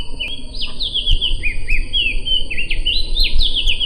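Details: Sumbawa opior (white-eye) in a tutoring recording, singing continuous high sweet warbles: repeated downslurred whistled notes and short trills in quick succession, over a low rumbling background and a steady high electronic tone.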